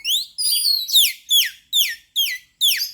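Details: Energetic song of a white-rumped shama (kacer), used as a lure to make birds sing: loud clear whistles and descending slurred notes repeated about every half second, with rich overtones, over a clean quiet background.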